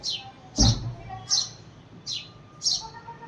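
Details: House sparrow chirping to summon a second sparrow: five bright, high chirps spread over three seconds, with one dull thump early on.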